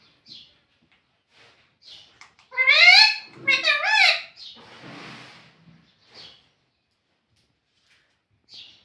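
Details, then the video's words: Home talking parrot that says "Mummy" and "Mitthu": near-silence, then at three to four seconds a cluster of loud, harsh harmonic calls rising and falling, followed by a breathy hiss and faint short chirps. "Talking Parrot Mitthu Mitthu 😘 Bolne Wala Tota 🥰 Mummy Mummy Bolne Wala Tota"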